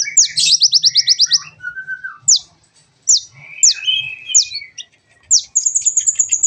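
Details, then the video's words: Kolibri ninja sunbird from a training recording for caged birds: an opening rapid high trill, then a level whistle, then spaced sharp downslurred chirps, ending in a fast very high trill. "masteran burung Kolibri ninja agar cepet gacor dan ngobra"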